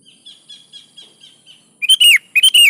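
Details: Sooty-headed bulbul, known locally as kutilang, singing vigorously: a row of six soft, evenly spaced chirps, then two loud, throaty, bubbling whistled phrases in quick succession.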